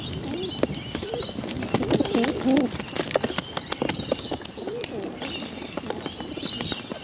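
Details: Hungry bottle-fed pigeons calling for food: wobbling, squeaky begging notes clustered in the middle, loudest around two seconds in, among frequent clicks and taps.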